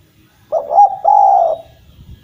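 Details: Derkuku jawa, a Javan collared dove in strong song meant to restart silent doves: one low, mellow coo phrase, two short rising hoots flowing into a sustained level coo lasting about half a second, quiet surroundings.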